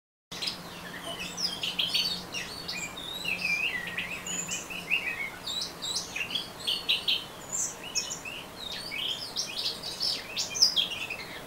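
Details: Orange-headed thrush singing in ngeriwik style: a dense, rapid run of high, varied chirps, short slurred whistles and twitters, unbroken across the whole stretch, over a faint steady low hum.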